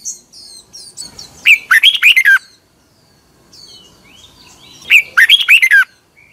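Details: A red-whiskered bulbul gives its 2021 morning training song: two dense, excited phrases of tumbling slurred whistles about three and a half seconds apart, with quieter thin twittering and faint chirps in between.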